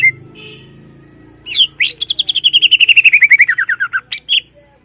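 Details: Greater green leafbird song used to rouse rival leafbirds, sung in ngentrok style; a soft chirp, then a steep upward sweep and a fast, falling trill of many crisp notes, ending in two sharp calls over a low steady hum.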